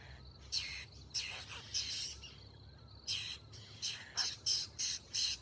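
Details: Young babbler begging for food: a run of about nine hoarse, scratchy, noisy calls, spaced at first, then quicker and more regular toward the end, with a faint steady high whine behind.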